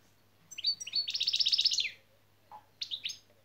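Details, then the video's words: European goldfinch lesson song in the şak şak style, used for training goldfinches: a rapid burst of bright, high chirping notes lasting about a second and a half, then a short pause and two more quick chirps. "saka kuşun da şak şak nedir öğrendik."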